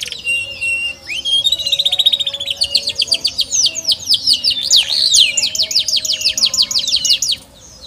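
A canary sings a fast, unbroken run of high rolling trills and chirps that shifts between rattling and whistled phrases, over a faint low hum.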